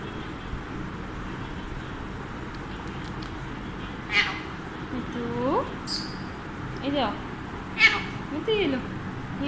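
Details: A pet Alexandrine (Indian Pahadi) parakeet talking indoors while being fed sunflower seeds gives a few short, speech-like phrases with warbling, swooping pitch, mixed with harsh clicks. Soft human Hindi voices and room noise sit underneath.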